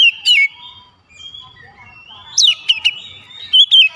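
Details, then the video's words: Oriental magpie-robin giving loud whistled notes with downward slurs, a pause of soft fainter notes, then more sharp rising and falling whistles in quick succession. "HITUNGAN DETIK KACER LAIN LANGSUNG IKUT BOCOR ISIAN SUARA"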